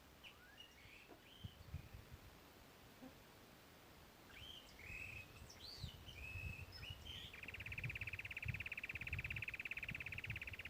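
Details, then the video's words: Rusty-backed antwren giving its prolonged song: a long, even, rapid trill held steady from about seven seconds to the end, preceded by scattered short whistled and slurred notes; low rumbling background noise throughout. "O canto prolongado do Papa formiga vermelho"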